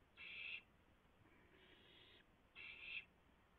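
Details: Owl at a nest during a rabbit delivery at 3:38 AM, April 7, 2016, with three owls feeding in turn. Three rasping, hissy bursts of about half a second each: two loud ones framing a softer, longer middle hiss.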